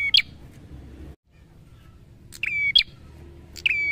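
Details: Energetic prinia song built from repeated phrases. Each starts with a dry tick, holds a level whistle and snaps upward into a short high note. A brief dropout occurs near the start, with faint low rumble beneath.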